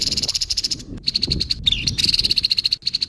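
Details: Harsh call of a grey-headed babbler: a fast, steady train of grating, rattling pulses, briefly interrupted by a short slurred note, then continuing in an even, buzzy stutter to the end.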